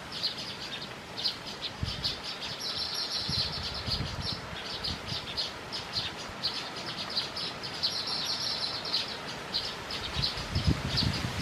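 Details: Baya weavers with their chicks: near-continuous high, thin chirping in rapid bursts and pauses, with low rustling and a few thumps in the background.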